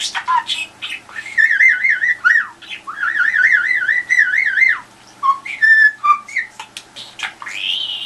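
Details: Budgerigar kept indoors trying to get an answer from the telephone: a series of wavering, vibrato whistles held about a second each, then short piping notes and a rising whistle at the end.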